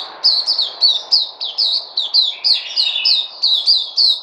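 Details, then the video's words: Caged white-eye (Puteh), 03/08/2020: lively, high, repeated downslurred chirps about two per second, with a lower buzzy trill briefly underneath midway; faint hum behind. "Puteh Crazy"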